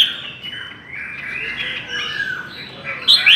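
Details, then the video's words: Brief run of smooth, rising and falling warbled whistles from a Chinese hwamei in a singing contest, ending with a sharp high note. "Chim họa mi hót đấu"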